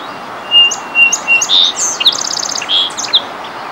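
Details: Territorial song sparrow at Minnesota Valley National Wildlife Refuge delivers a full song: evenly spaced sweet introductory notes, a buzz, a rapid rattling trill and short ending notes over constant background noise.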